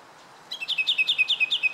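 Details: Japanese bush warbler giving a rapid run of about a dozen clear, high, downward-slurred notes, each repeated roughly ten times a second in an even, accelerating trill.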